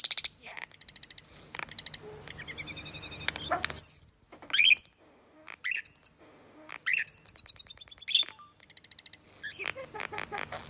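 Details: Common starling in extended song mixing squeaky clicks, harsh rattling bursts, bright descending whistles and a rapid pulsed chatter, with short silent gaps between phrases.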